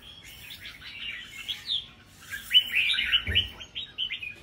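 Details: Red-whiskered bulbuls competing in a group singing contest pour out fast, bright, chattering warbles of slurred whistled notes, several caged birds at once, with a brief low knock midway.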